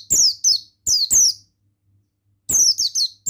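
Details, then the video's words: High, bright, descending whistled notes from a male buxtoni Oriental white-eye, sung in fast clusters of two or three with short silent gaps, against a faint low hum. "Suara Ampuh Pemasteran Burung Pleci Bustomi Ngalas Ikutan Bunyi"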